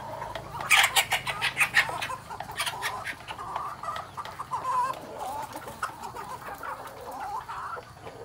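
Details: Hybrid red junglefowl of pradu (dark red) colouring, awaiting comb dubbing: a burst of loud, sharp clucking notes in the first two seconds, then softer irregular repeated calls over a faint low hum.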